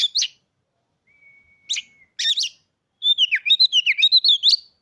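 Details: Caged Oriental magpie-robin, newly bought, gives a few sharp chips and a thin drawn-out whistle, then a fast, fluid warbling phrase of rapidly varying notes. Nothing else is audible.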